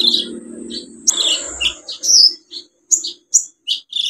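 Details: Olive-backed sunbird singing steadily to lure birds that stopped singing: a sustained high thin whistle, then sharp chips and squeaky slurred notes in quick succession over a soft low hum.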